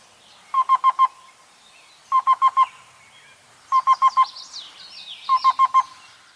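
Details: Black-billed cuckoo (Coccyzus erythropthalmus), song.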